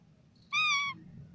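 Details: A parrot in natural voice makes a single steady, nasal, harmonic call just under half a second long, slightly falling at the end, against quiet low hum.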